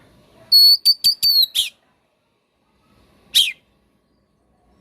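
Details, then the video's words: Oriental magpie-robin, a tutor and lure recording for caged birds that have gone quiet: a short burst of bright whistled notes and clicks ending in a harsh chirp, then a long silence and one more harsh note. "MASTERAN DAN PANCINGAN KACER GACOR PALING DI CARI JURI! COCOK UNTUK KACER ANDA YANG MACET BUNYI !!!"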